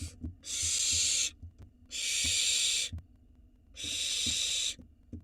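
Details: Barn owl nestlings begging in an Israeli nest box, live camera, when the father brings food: three loud, broad, hissing screeches of about a second each, roughly every 1.5 seconds, with soft taps between.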